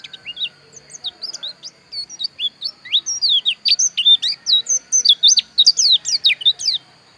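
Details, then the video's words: Javan white-eye, known locally as pleci dakun, from Pupuan, Bali, singing a rapid, jumbled run of high, sharp chirps and twitters that builds into dense chattering phrases, with a steady high whine behind it. "Suara Pleci Dakun Bali Pupuan"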